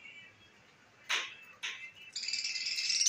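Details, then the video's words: A parrot gives two harsh, raspy screeches half a second apart, then a steady high buzzy chatter that keeps going and grows slightly louder. "طوطے کی اواز"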